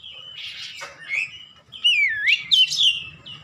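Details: Ngeplong gacor song of an Oriental magpie-robin for training home caged birds: a soft scratchy passage, a pause, then a loud whistle sliding down and up, followed by ringing harsh-edged phrases.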